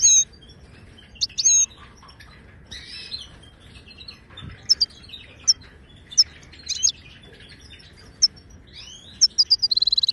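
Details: Song of a wild Moroccan goldfinch, authentic Widani style, used to teach caged goldfinches: scattered high tinkling notes and buzzy chips with brief gaps, ending in a fast, even rattling trill.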